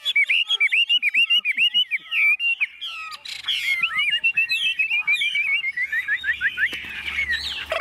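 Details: Hand-carried, tame caged Chinese hwamei singing calmly while its cage is shaken: quick chains of slurred whistled notes, bright chattering runs and a soft background rustle.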